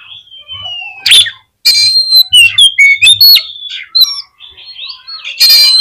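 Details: Song of an Oriental magpie-robin used to trigger other magpie-robins into singing: a drawn-out falling whistle, then a lively mix of short whistles, chirps and rough notes, with faint low thumps behind.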